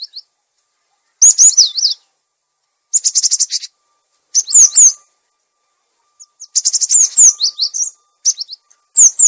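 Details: Cinereous tit lure song used to attract birds and to tutor caged tits that have stopped singing: clear, high whistled bursts of rapid down-slurred notes and short trills in separate phrases, with quiet gaps between them.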